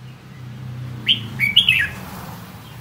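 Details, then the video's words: Red-whiskered bulbul singing a single lively phrase of three or four quick, slurred whistles descending at the end, over a low engine-like hum. "Giọng hót chào mào"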